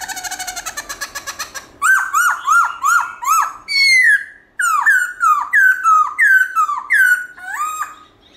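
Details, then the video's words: Black-throated laughingthrush performing a forest-style morning song with changing voice: a fast buzzy trill, then a lively run of about a dozen loud, clear whistled notes, each sliding down, at an uneven pace. "Khướu Bạc Má Hót Giọng Rừng ĐẢO GIỌNG Buổi Sáng Cực Hay"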